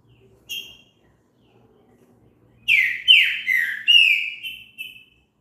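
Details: Trinca-ferro, the green-winged saltator of Brazil, singing a loud whistled phrase after a lone short note: five or six slurred notes, some dropping in pitch, ending in two brief clear whistles.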